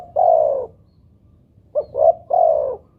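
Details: Spotted dove cooing, played to make other doves call: a single mellow coo sliding slightly downward, a pause of about a second, then a quick short note followed by two more drawn-out descending coos, all clean and close.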